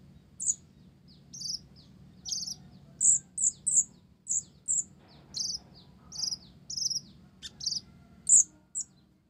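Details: Blorok (mottled) olive-backed sunbird in lively song borrowing Java sparrow phrases: a regular stream of high, ringing, slightly squeaky notes about twice a second, with occasional sharp clicks.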